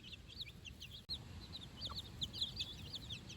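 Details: Four-day-old baby chicks out on fresh grass with their mother for the first time: a busy overlapping chorus of high, looping peeps, loudest toward the end, one brief click, over low background noise.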